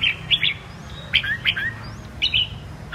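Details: Red-whiskered bulbul, 'Mơ' type, singing in 'giọng kép' double-voice style. Short chirpy whistled notes come in small clusters against a steady low background rumble.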